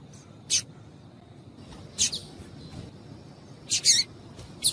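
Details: A female Double-collared seedeater (Sporophila caerulescens) gives brief, sharp, high chips, singly or in quick pairs, one to two seconds apart over faint hiss. This female call is used to stimulate males to sing.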